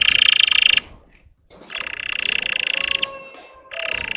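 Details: Russian canary song played to provoke untrained birds: buzzy rolling tours broken by a pause, with faint lower tonal sounds underneath.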